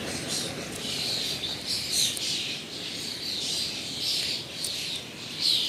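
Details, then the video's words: Migratory common starlings singing and chattering all around a clearing in a gully; a dense, continuous mesh of high chatter and thin whistles, with brighter bursts roughly every second and no other clear sounds. "дуже гарно співають Шпаки"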